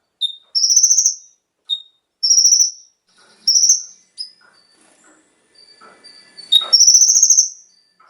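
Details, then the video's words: Konin (kolibri ninja) singing to prompt caged birds into song: rapid high buzzy trills repeated about every second, interspersed with short sharp whistled notes and a few faint scattered chips. "PANCINGAN suara burung KONIN agar langsung GACOR dan ikut NEMBAK FULL ISIAN"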